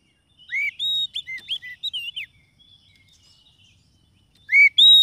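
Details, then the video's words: Lure song of a white-rumped shama, meant for attracting wild birds or prompting quiet caged ones to sing: a burst of varied clear whistles and slurred notes, a faint trailing twitter, silence, then two loud ringing whistles. "SUARA PIKAT KACER PALING AMPUH"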